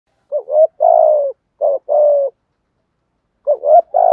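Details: Decoy spotted dove calling in the morning: deep, mellow coos in phrases of a short, bending note followed by a long drawn-out coo, repeated three times in quick succession against a silent background.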